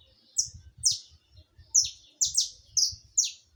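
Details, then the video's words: Song of a saffron finch: bright, descending high notes delivered in pairs and singles at uneven intervals over a soft low rumble. "Som de canário da terra canto ao vivo"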